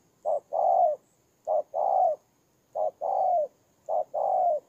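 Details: Ground decoy spotted dove from Kon Tum, Vietnam: four evenly spaced two-part coos, a short note followed by a longer mellow, slightly falling coo, about one phrase each second.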